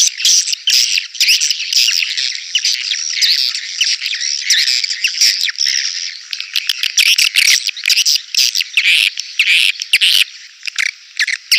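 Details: Swiftlet calls used to lure birds into a crowded bird house: continuous harsh buzzy chattering and rattling bursts, dense and overlapping throughout.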